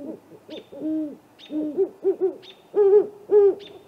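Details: Great horned owls, a pair, checking out a great gray owl snag nest at 8:50 pm in April: deep rounded hoots in small groups, the last two notes loud and drawn out, high whistled notes sounding in between.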